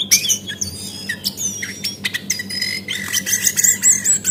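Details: Lure call of a female Javan white-eye for making birds sing: high thin whistles and squeaky chirps in bursts, with short pauses between them.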